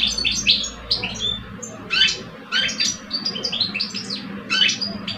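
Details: Two caged European goldfinch males in an Algerian singing face-off, one older, one two years old; clusters of quick chattering notes every second or so, with brief pauses between bursts.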